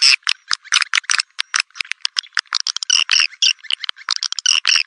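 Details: Swiftlet lure call meant to draw swiftlets in: a rapid, rattling series of short, sharp clicking chirps, closely spaced and uneven in rhythm, occasionally merging into brief twittery trills; nothing else audible.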